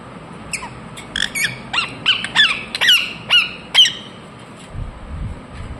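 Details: Indian ringneck parakeet chirping, a run of bright, sharply inflected squeaky notes spaced roughly half a second apart, fading to quiet at the end.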